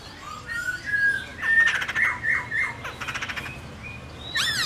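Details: White-cheeked laughingthrush singing: drawn whistles joined by harsh squawking bursts and short stuttering notes, ending in a sharp downslurred call.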